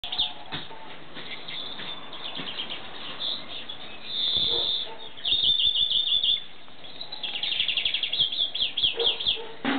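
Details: European greenfinch song: bursts of fast twittering trills interspersed with a drawn-out wheezy buzz near the middle, then more rapid rattling trills toward the end, with a low background rumble throughout.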